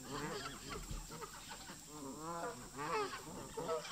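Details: Geese in a park, the resident flock tense toward migrating visitors, giving a run of nasal honks in quick irregular succession, with louder calls near the end.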